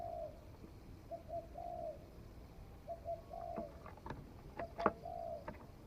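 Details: Forest trial of a spotted dove that has just started cooing: three quiet, distant phrases of short notes ending in a drawn-out coo, with scattered clicks and knocks nearby.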